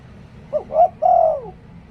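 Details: Decoy spotted dove giving one Liu Tan cooing phrase: a brief low note, a second rising coo, and a drawn-out final coo that sweeps downward, with faint low rumble behind it.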